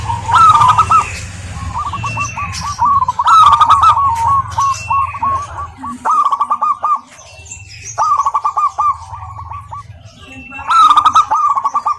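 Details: Calling female zebra dove of a local strain, summoning a male: repeated bursts of fast, rolling coo notes every couple of seconds, separated by short pauses, with occasional faint higher bird chirps.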